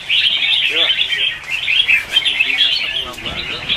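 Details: Red-whiskered bulbuls in a morning singing contest, used as lure song to stimulate birds: rapid overlapping chirps and trills fill the clip, with short lower harmonic calls near the start and end.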